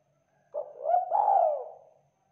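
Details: Local Indonesian spotted dove (tekukur lokal) giving one low, mellow coo phrase: a brief opening note, then a longer rolling, slightly descending coo, in a quiet setting.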